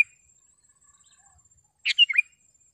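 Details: Sooty-headed bulbul singing, a recording meant for tutoring caged birds and calling wild ones closer: after quiet, one brisk phrase of clear chirpy notes falling in pitch, with a faint steady high hiss behind.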